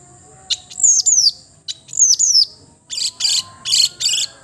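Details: Long-tailed shrike (cendet) with a melodious voice: high whistled notes in pairs that slide steeply downward, then harsh, buzzy, rasping bursts about every half second.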